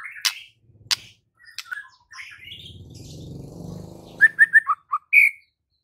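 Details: White-rumped shama singing in the lively 'gacor full isian' style used to train reluctant singers: sharp clicks and varied slurred phrases, a low rumble in the middle, then a rapid run of short whistled notes ending in a longer high whistle.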